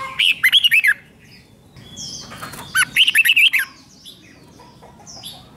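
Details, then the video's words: Red-whiskered bulbul singing in the style used to stir caged birds: two short, rapid phrases of warbled, bouncing whistles about two and a half seconds apart, with soft squeaky notes in between. "เสียงนกกรงหัวจุก ร้อง ริก เปิดให้นกฟัง ยั่วให้นกคึกจัด"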